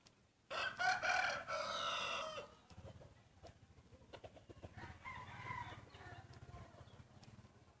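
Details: Breeding rooster in a crowing contest gives one loud, harsh, drawn-out crow of about two seconds, followed a few seconds later by a fainter answering crow, with clicking and low rumbling noise in the background.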